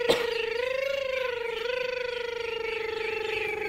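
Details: A single steady, humming tone with a slight waver holds for the whole stretch, with no bird or other animal voice.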